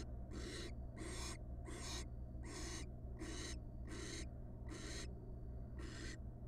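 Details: On the first night after a nestling hatched, a wild barn owl at the nest box, with the father bringing a giant rat; quick series of harsh, breathy hissing screeches, eight bursts in about six seconds.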